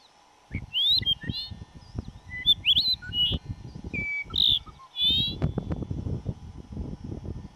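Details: Dupont's Lark at Duraton Gorge in May 2005 gives short, nasal whistled notes, some rising and some falling, in loose bursts over heavy low thumping wind or handling noise.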